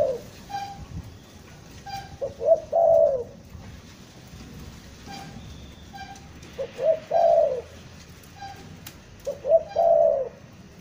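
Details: Spotted dove from Bandung, Indonesia, used as a trapping lure and described as a stuttering, vigorous caller: low mellow cooing phrases, each a few quick notes ending in a longer rolling coo, repeated about every three seconds over faint background hiss.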